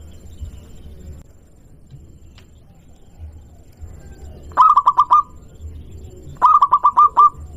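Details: Lure song of a local zebra dove to make other doves respond: two short bursts of five or six staccato coos each, after a stretch of faint low rumbling background noise.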